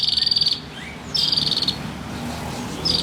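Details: Local Banyuwangi long-tailed shrike, a kept songbird, giving short grating buzzy bursts that repeat about every second, with steady low background hum.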